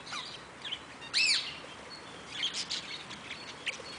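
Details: Eastern rosella at Velserbeek; a loud arched whistled note near the middle, followed by softer chirps and short notes, with a faint flutter.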